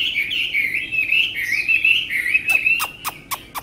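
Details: Chinese hwamei kept as a tame cage bird sings a continuous wavering warble of slurred whistled notes, followed by several sharp dry clicks near the end.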